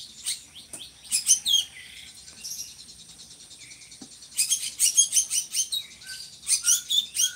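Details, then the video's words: A drongo, kept as a song-tutor bird for other cagebirds, sings a lively medley of sharp, squeaky chirps and rapid chattering bursts, broken by short lower whistles, against a quiet background. "SRIGUNTING GACORRR"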